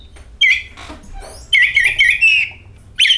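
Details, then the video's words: Brief burst of oriental magpie-robin song, used to lure other birds into song: a harsh rasping note, then a wavering whistled phrase and a sharp rising chip. "DENGAN VIDEO INI KACER AUTO GACOR, Suara Burung Penyejuk Hari, Pancingan Kacer"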